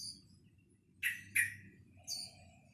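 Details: Young caged sooty-headed bulbul practising its song, obtained at two months old in November 2018: two quick sharp chirps close together, a pause, then a softer third note, against quiet low hum.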